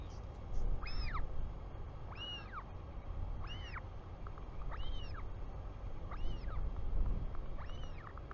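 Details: Royal albatross chick in New Zealand greeting its returning father, 24 July 2020, 4:06 pm: six arched, whistled cries, each rising then falling, roughly every 1.3 seconds over a steady low wind rumble.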